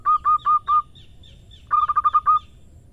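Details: Female zebra dove calling the male: four drawn-out hollow coos, then a pause with soft high chirps, followed by a rapid cluster of about seven short coo notes.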